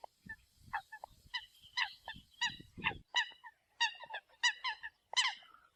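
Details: Nasal, honking calls of a Eurasian coot used for decoying, starting softer and growing louder, given in irregular runs with some low thumping sounds early on.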